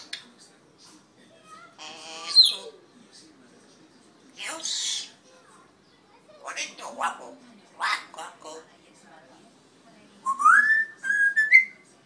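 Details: Red-tailed African grey parrot giving harsh, broadband squawks and short chattering bursts spaced a few seconds apart, ending in a loud tonal whistle that rises and then levels off, with a faint low hum beneath.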